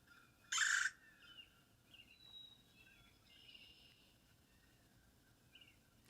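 A single loud, rolling churr from a Red-bellied Woodpecker lasts about half a second. Faint, thin higher notes follow in an otherwise quiet background.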